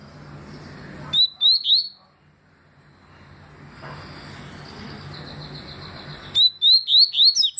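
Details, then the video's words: Double-collared seedeater in 2020 delivering its tui song: two or three piercing upward-sweeping whistles, a quieter stretch with faint far notes, then a rapid run of five or six loud rising whistles. "Papa capim tui"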